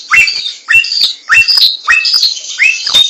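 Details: Wild laughingthrush song with bold rising-then-falling whistled phrases repeated roughly every half second, each opening with a sharp snap, over a dense wash of high chattering notes.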